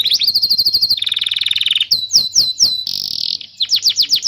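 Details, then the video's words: Canary song used to teach young canaries and rouse birds that have stopped singing: rapid rolled trills of repeated high notes, shifting between a steady buzzy trill, slower swooping chips, and a fast rattle. "Suara burung kenari gacor Pancingan kenari paud kenari macet bunnyi"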